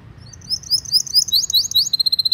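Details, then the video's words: Energetic canary song for training young or non-singing canaries: brisk high whistled sweeps grow louder into a dense cascade, ending in a fast, evenly pulsed trill. "PANCINGAN KENARI GACOR PANJANG Ini Cocok Untuk Masteran Kenari PAUD & PANCINGAN Kenari MACET BUNYI"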